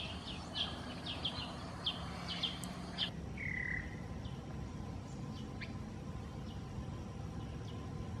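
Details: Greater green leafbird at the edge of Kaeng Krachan National Park, Phetchaburi, Thailand, recorded 23 September 2012; a run of short sharp chips about every half second, then a buzzy falling note and scattered faint calls over steady background hum.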